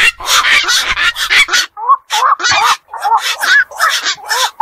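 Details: Night-time calls of black-crowned night heron at a pond or wetland: a burst of coarse squawks, then separated nasal, rising-falling croaks spaced roughly a third of a second apart.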